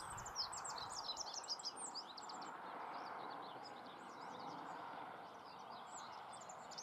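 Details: Moselle valley, Germany: a rock bunting pours out rapid, thin, high twittering phrases, loudest early and continuing more softly, half-buried in heavy steady rushing noise.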